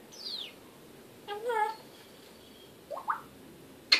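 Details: African grey parrot talking indoors: a high whistle gliding down, a brief nasal harmonic sound, two quick rising whistles, and a sharp click at the end, with soft background hiss.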